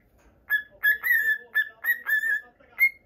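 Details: Male cockatiel kept as a pet, normal lutino colouring, uttering six or seven short whistled notes in three seconds, some slurred downward, closing with a sharp rising whistle.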